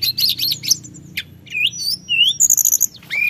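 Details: Sunda whistling thrush singing in a rolling, unbroken style to provoke other birds: a scratchy high jumble, thin whistled slides, and a short rising whistle near the end, with low background hum.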